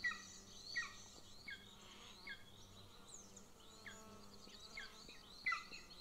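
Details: Younger Golden Eagle chick at a nest-camera nest near the Central Training Field, Northern Estonia, begging while the female feeds its elder sibling; high, thin down-slurred peeps come irregularly, some doubled, over a soft steady background hiss.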